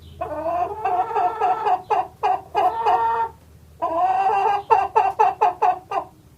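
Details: Hen clucking indoors: drawn-out nasal clucks that break into a rapid run of short clucks, about four a second, in two bouts with a short pause between.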